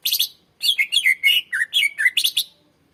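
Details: Greater green leafbird song used as a lure for training young birds: a rapid chattering run of bright whistled and buzzy notes, some sliding downward, delivered in a steady burst after a short sharp opening phrase.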